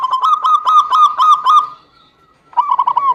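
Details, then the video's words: Local zebra dove sound used as a lure for a bird reluctant to sing: fast run of clear, repeated ringing coos for under two seconds, a pause, then a short burst of the same notes. "PANCINGAN SUPER AMPUH UNTUK PERKUTUT MALAS BUNYI"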